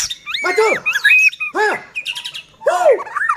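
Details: White-rumped shama singing as a lure to get other shamas singing: deep arched downslurred notes, wavering whistles and a buzzy trill, in three bursts.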